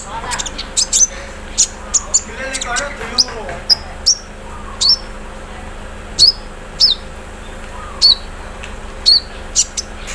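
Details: Morning song of a caged olive-backed sunbird placed out in the dew: evenly spaced, sharp high-pitched notes about every half second, each with a bright upward flick, over faint background chatter.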